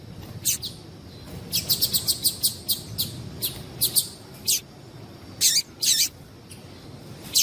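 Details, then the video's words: High, scratchy chirps from a female yellow-bellied seedeater, a call used to excite males, given as evenly spaced notes roughly every third of a second, then louder paired bursts near the end. "Melhor Piado de Fêmea de Papa capim Para Esquentar Papa capim"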